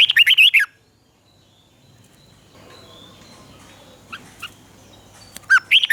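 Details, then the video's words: Caged Red-whiskered bulbul in Thailand, recorded in the southern master style, played to stimulate caged birds and teach young birds. Short warbled, liquid phrases open and close the clip, separated by a quiet stretch with faint distant chirps. "เสียงนกกรงหัวจุก สำหรับต่อ หรือ เปิดให้นกคึก เสียงเพราะๆ"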